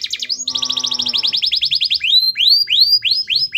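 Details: Canary singing steadily as bait for a lazy bird: a quick rattle of repeated notes runs into a fast trill, then spaced rising, upslurred chirps roughly every third of a second, with a faint low harmonic sound early on.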